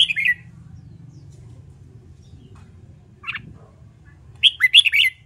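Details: Red-whiskered bulbul in training for contest singing. A clipped warble opens, a lone chirp follows mid-way, then a lively run of four rising and falling whistled notes ends the recording over a low background hum.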